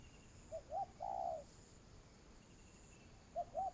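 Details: Spotted dove used as a trapping lure, giving one low phrase of two short hoots and a longer, wavering coo, then starting the next phrase after a quiet gap.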